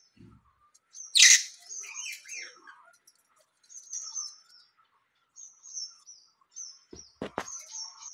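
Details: Newly hatched budgerigar chicks in a household nest: a loud scratchy burst, then pauses and sets of thin, high, slightly falling whistles, ending with a few sharp knocks and more whistles.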